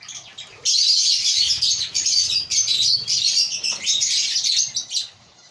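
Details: Captive African lovebirds in a breeding colony, singing and chirping: after a brief quiet start, a dense, continuous wash of shrill, overlapping high chirps and twittering runs for about four and a half seconds, with short dips, then fades.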